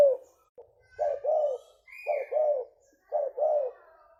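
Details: Cooing of a 'leopard' spotted dove kept for lure recordings. It gives three deep two-part phrases, a clipped note then a drawn-out purring coo, spaced roughly a second apart. A brief higher whistle sounds between the first two phrases.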